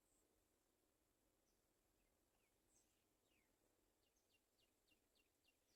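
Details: Sooty chat chicks begging for food give thin, high, downslurred squeaks, scattered at first, then quickening into a rapid series, over a steady background hiss.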